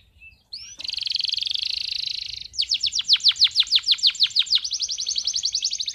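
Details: Male canary singing energetically to teach young canaries to sing and excite females: a sustained high buzzy note, then a run of rapid descending sweeps, then a fast steady trill.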